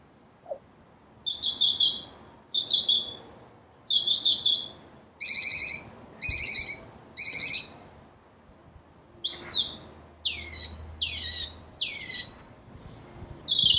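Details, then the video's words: Northern cardinal whistling: first a series of buzzy, harmonic-rich notes in pairs repeated every second or so, then quick clear notes that sweep steeply downward, given in a fast run. "Northern Cardinal Bird Sound, Bird Song, Bird Call Bird Calling Chirps"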